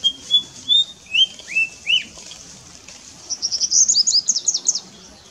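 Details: White-browed fantail at Mangar, Faridabad, Haryana, India, on 9 April 2017: a few clear whistled notes, some rising and some falling, then a quick higher run of jumbled sweet phrases.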